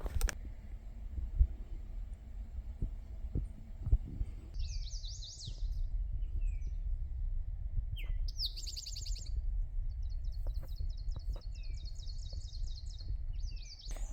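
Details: Eastern Towhee on the Appalachian Trail in Georgia during a 2025 northbound hike, singing bright, high phrases: a few short introductory notes then fast buzzy trills, repeated several times over a steady low rumble of wind.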